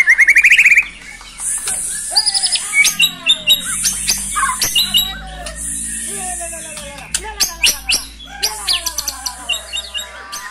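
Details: White-rumped shama from Cilacap, Indonesia, a bird kept for song, giving brantakan fill: an opening buzzy trill, then long varied sequences of descending whistles and rapid high chattering notes.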